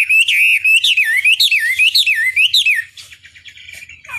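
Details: Chinese hwamei singing in a lure recording for provoking rivals, with loud rippling whistled phrases that swoop up and down in quick succession before fading into quieter chatter.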